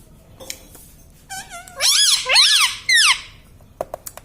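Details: Pet parrot talking, said to say mummy, papa and radhe: a couple of soft chirps, then three loud, strongly bending, harmonic squawk-like syllables, with faint clicks afterwards.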